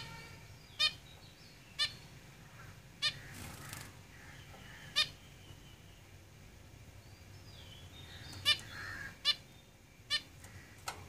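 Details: Zebra finches kept in a cage give loud, nasal, trumpet-like beeps roughly every second or so, some doubled, with a brief noisy rustle near four seconds.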